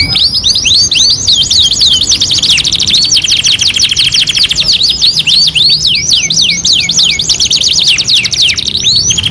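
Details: Canary song from a two-in-one master training track: continuous high rattling trills broken by rows of quick downward-curving whistled notes, rolling on without pause for the whole stretch.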